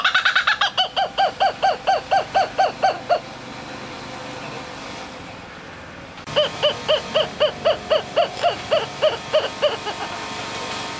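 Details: Laughing kookaburra at Hamura Zoo giving its cry: a rapid run of hooting, laughing notes repeated about four times a second. The run fades after three seconds, falls quiet, then a second steady rhythmic bout follows.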